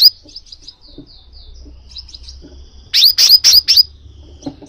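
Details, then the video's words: Crimson sunbird calling, intended to make a pet sunbird sing; thin, faint twittering notes give way to four loud, sharp, descending chirps in quick succession. "suara pangilan burung kolibri sepah raja, memicu kolibri sepah raja anda jadi gacor"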